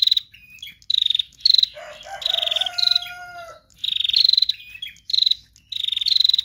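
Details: Female bar-winged prinia chattering energetically. It repeats buzzy, rapid-pulsed high bursts with short pauses. Midway, a lower drawn-out whistled tone with a falling end overlaps the chatter.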